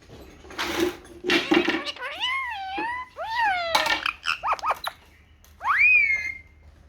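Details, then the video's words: Talking Indian ringneck parakeet, a pet in a cheerful mood sunning itself, produces a string of shrill, wavy speech-like syllables, some swooping up and down, followed by quick rapid chirps and a final rising squeal. "Talking parrot"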